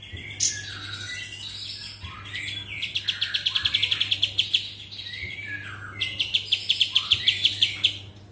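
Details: Kapas tembak, the cotton-ear bird, delivers bursts of rapid, evenly spaced high ticking notes in two long trills, separated by softer slurred and buzzy phrases, over a constant low hum.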